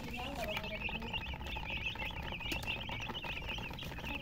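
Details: Chickens with a hen, chirping steadily: dense high, thin peeps repeated rapidly throughout, with a faint low background rumble and murmur.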